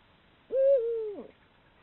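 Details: Camera-trap recording of a female Eurasian eagle-owl hooting on a breeding-season evening: one deep, sustained hoot lasting under a second, gently dropping in pitch before a short clipped ending, no other sounds.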